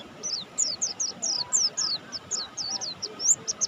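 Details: Mountain white-eye of the buxtoni form singing actively: a quick series of thin, high, down-slurred chirps, several per second, over a steady low background hum.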